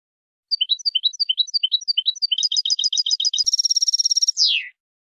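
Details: Goldfinch song opening with spaced twinned chirps that quicken into a dense, buzzy, high-pitched trill and finish with a falling, drawn-out note. A quiet setting with no other sounds.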